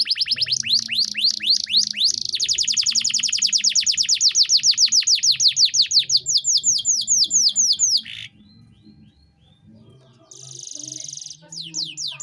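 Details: Energetic canary 'gacor' song in luxurious 'cengkok mewah' style, a tutor recording for young birds: fast chattering trill of high downswept notes, then a brief pause, then a buzzy rattle and fresh slurred notes.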